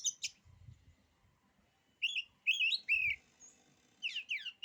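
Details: Oriental magpie-robin singing to cow other magpie-robins: opening sharp notes, low rumbling background noise, then loud slurred whistles and a run of quick downward notes.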